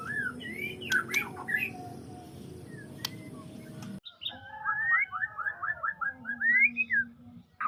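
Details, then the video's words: White-rumped shama song, at first scattered faint whistles, then after an abrupt break a quick, even series of bright slurred whistled notes over a low background hum. "suara burung muray"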